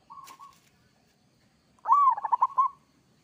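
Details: Local Zebra Dove singing a vigorous kerot-style song meant to make listening doves reply: a short soft coo, a pause, then a strong rolling phrase of rapid pulsed cooing notes held at an even mid pitch.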